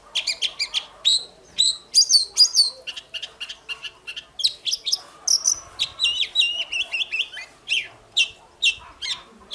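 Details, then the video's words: Oriental magpie-robin, caged, singing in the morning for competition training: rapid clipped chirps and whistled notes, some slurred downward, delivered in quick uneven bursts over nearly ten seconds. "Chòe than hót đấu//Kích chòe hót sáng"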